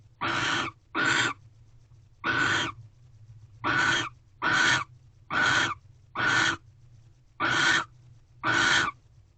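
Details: Nighttime owl box at Corral, 19 February 2023: barn owls after the male provides a rodent for the female; nine harsh hiss bursts, a brief pause after the first two, then a steady series about every eight-tenths of a second.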